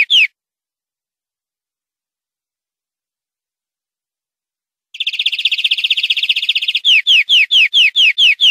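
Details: European greenfinch song from a clean recording made to educate captive birds: a short note, long silence, then a buzzy rolling trill and a string of repeated falling whistled notes.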